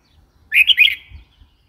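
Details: Red-whiskered bulbul uttering a single short, rich chirruping phrase of two or three rolled notes, with slight low background noise.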